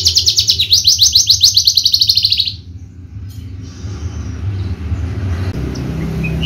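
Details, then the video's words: Horsfield's bushlark, javanica form, a champion contest songster. The clip opens on a rapid rattling trill of high clipped notes that stops after about two and a half seconds, leaving faint background noise and low hum. "KICAU MERDU BRANJANGAN JAVA"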